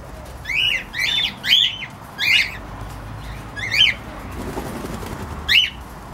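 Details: Cockatiel squawks, a cluster of four arched harsh calls in the first two and a half seconds, then two more spaced calls, with soft background rustling and hum.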